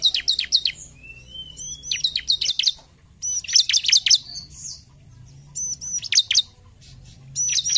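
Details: Bar-winged prinia song meant to stimulate singing, repeated bursts of rapid high chirps and thin whistled slurs, four phrases with short gaps between them.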